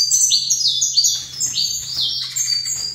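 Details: Short loud burst of saffron finch song: sweeping high notes dipping and rising in quick succession, from a bird placed facing another, with a low hum behind.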